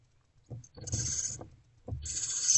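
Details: Nest box at night, 28 February 2024, barn owls receiving food: soft thumps and shuffling followed by high, airy hisses that rise in loudness toward the end.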